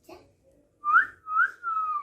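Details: Pet parakeet that speaks Bengali, kept at home: after a near-silent pause, three clear whistled phrases, each rising then levelling off, the last one long and drawn out.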